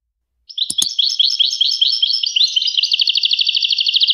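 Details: European goldfinch singing: after a brief silence and two sharp clicks, a fast run of bright, liquid twittering notes, roughly two to three per second, then a quicker rattling trill toward the end. Nothing else is heard.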